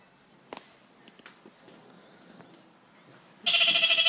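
A kakariki bursts into a loud, harsh, rapid chattering laugh of about seven nasal notes, after a few seconds of near silence with faint clicks.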